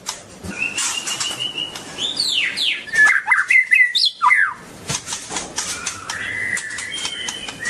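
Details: White-rumped shama of the long-tailed type in song: long flat whistles, then a loud run of steep downward-sweeping notes and twisting slurs, followed by softer held whistles and clicks.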